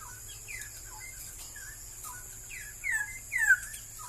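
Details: Straw-headed bulbul, a species said to be becoming scarce in Malaysia, singing scattered short whistled notes that end in two loud rich slurred phrases falling in pitch; a steady high hiss and low hum run underneath.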